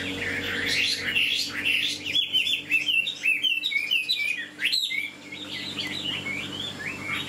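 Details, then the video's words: Large tame (90–95%) caged Chinese hwamei, recently caught in the highlands, perched singing: a loud, varied run of rich whistled phrases slurred up and down and repeated rapidly, low hum underneath. "các bác có thể thấy con chim nó đứng nó hót này, bộ to nhìn nó đẹp lắm anh em ạ."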